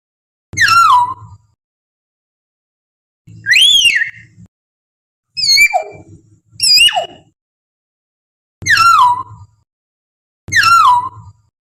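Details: Common hill myna calling in the wild, a lure for captive birds: loud, clear falling whistles, a rising whistle, and quick paired notes, six calls over about twelve seconds, each with a low rattly undertone.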